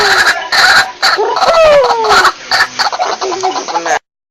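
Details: White-breasted waterhen used as a lure bird: loud harsh pulsing notes with a couple of clear descending whistles, ending in quicker softer chatter before stopping abruptly.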